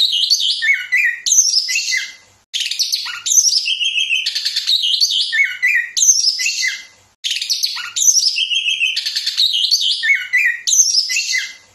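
A chestnut-capped thrush sings dense, rapid-fire phrases of high whistles, trills and chattering notes, packed close together with only brief pauses.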